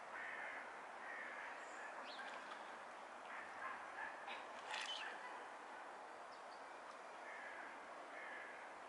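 Mallards give nasal, quacking calls and soft chatter during courtship, with a brief sharp whistle midway, all over a steady rushing background noise.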